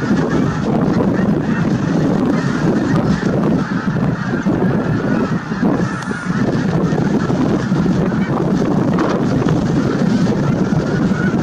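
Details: A huge flock of snow geese at Merced National Wildlife Refuge, 22 January 2023, keeps up a loud, unbroken honking chorus for over ten seconds, one thin high whistle briefly audible near the middle.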